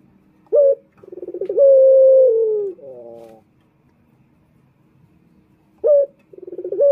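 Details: A male puter, or Barbary dove, used as a lure for males, gives one full phrase of fast throbbing notes, a long steady coo and a wavering trill, then pauses before starting again.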